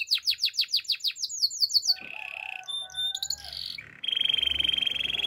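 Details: Russian canary in song: a run of rapid descending whistled notes, then mixed short chirps and a sharp burst, closing on a long even trilled roll.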